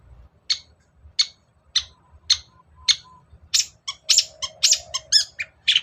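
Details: Long-tailed shrike singing to lure lazy birds into song: five sharp, high scratchy notes spaced about half a second apart, then a faster burst of varied chirps and whistled trills.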